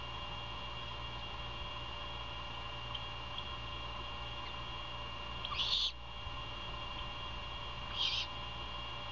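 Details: Early-morning feeding of a great horned owlet by its mother at a Savannah nest, 21 February 2022: two hoarse, hissy screeches about two seconds apart, the second softer, over continuous low hum.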